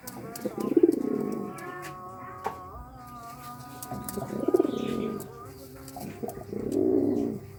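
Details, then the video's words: Pigeon courtship coos arriving in three separate throaty bursts a few seconds apart, with a thin steady tone and faint background noise between them. "Suara Burung Merpati merayu"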